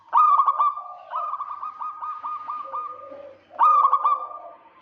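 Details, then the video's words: Rival-luring call of a local zebra dove: a loud rattling burst, then a long series of evenly spaced pulsed coos, then another loud burst, with faint lower cooing underneath. "Perkutut lokal GACOR KEROT MANCING LAWAN"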